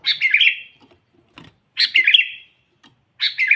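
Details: Sooty-headed bulbul calling out to rival wild bulbuls: short, slightly harsh bubbling phrases about every 1.6 seconds, each a tumble of quick chirps, with a faint low knock between.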